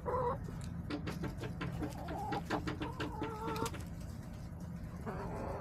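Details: Hens clucking in a backyard flock on March 24, 2024: many short, clipped clucks in quick irregular bursts, mixed with a few longer held notes, over a steady low rumbling background.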